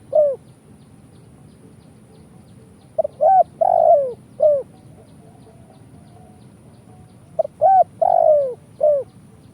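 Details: Spotted dove (tekukur) giving its 'kuk 1' call, used as a lure to attract doves for trapping: two phrases about four seconds apart, each with short clipped notes and then a long, low, slightly falling coo. A faint steady hum runs underneath.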